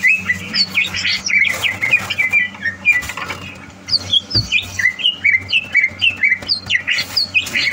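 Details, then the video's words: Caged greater green leafbird being prepared for a singing competition, recorded 30 November 2022: a fast, varied warbling song of bright whistled and chirped notes, many phrases per second, over a steady low electrical hum. "Suara Burung CUCAK Hijau"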